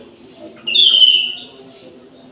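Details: In an aviary at midday, an orange-headed thrush delivers a brief loud whistled phrase, a thin high note above it, then a long descending high whistle, with faint low hum behind.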